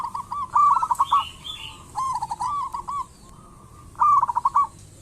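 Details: Local zebra dove singing vigorously, used as a lure to get other doves singing: rolling trilled coo phrases with pauses, and brief higher chirps from another bird at the start.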